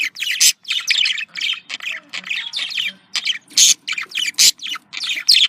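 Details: Pet budgerigars calling to stimulate breeding: dense bursts of harsh squawks and scratchy chirps in quick series with brief gaps, all high-pitched, with a faint low hum beneath.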